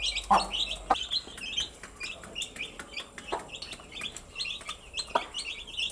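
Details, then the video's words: Cute baby chicks keep up a constant chorus of piercing, slightly wavering peeps, some rising and some falling. A few louder thuds stand out, including a strong one at the start. "Cute Baby Chicks with chirping sound"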